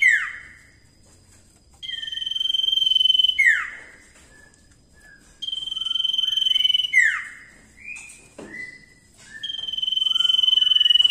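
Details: Common iora, called cipoh, singing actively, recorded as a tutor song for training other birds: long, steady, high whistles held about a second and a half, three times, each broken by sharp downward-sliding notes and short chirps.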